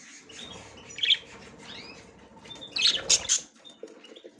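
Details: Female budgerigar making her first attempt to enter the nest: low murmuring chatter with arched whistled notes, then a loud cluster of harsh squawks around three seconds.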